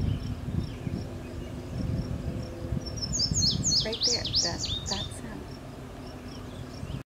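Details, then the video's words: Indigo Bunting singing at the Julien Dubuque monument, Dubuque, Iowa, on 17 June 2017: a brisk two-second phrase of high, sweeping notes, several in quick pairs, over low rumbling background noise and faint insect-like ticking. "Indigo Bunting song"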